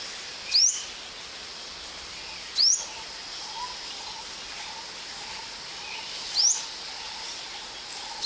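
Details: Ornate Sunbird on a mountain in Thailand gives thin, high notes sweeping sharply upward, spaced irregularly a few seconds apart, over a faint steady background hum.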